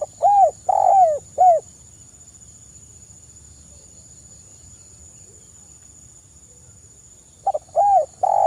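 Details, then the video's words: 'Kuk 1' song of an actively singing Spotted dove, played to lure other birds: three hollow arched coos, about five seconds of quiet, then the phrase begins again, with a steady high electronic whine throughout. "suara burung TEKUKUR GACOR kuk 1 SUARA KRISTAL lebih ampuh untuk pancingan"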